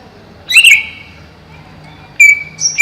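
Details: Greater green leafbird, a cage bird kept over a pond, delivers two loud whistled phrases: a sharp note sliding into a long level whistle, then after a pause another clear sustained whistle.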